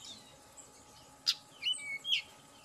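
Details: Softer Tledekan gunung notes used to excite a bird into song: one sharp click followed by two thin downslurred whistles over a faint hiss.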